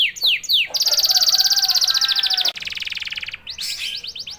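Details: Canary singing to provoke other canaries: three descending slurs, then a dense buzzing trill, a lower fast rattle and a final burst of rapid notes.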